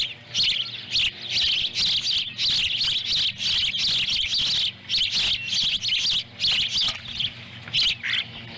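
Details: Osprey nest in Lolo, Montana, July 18, 2017, with a second chick trying to join as its sibling eats a fish. Steady rapid chirping pulses several times per second, loud and shrill throughout.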